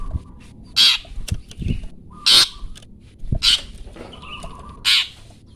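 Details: Long-tailed shrike, 'toet toet' master recording for songbirds: four harsh, scratchy bursts roughly every one to one and a half seconds, with soft thuds, low knocks and faint steady whistles in the background.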